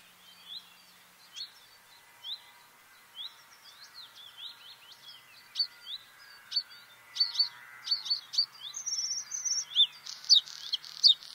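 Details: Bluethroat song: a varied series of short sharp chirps, twangs and whistled notes, sparse at first then growing denser and louder, with ringing repeated phrases toward the end; quiet background otherwise.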